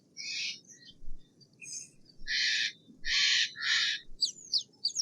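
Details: Steller's jay screaming in a broken sequence of coarse, grating blasts, some doubled in quick succession, with high twittering chirps from other birds near the end.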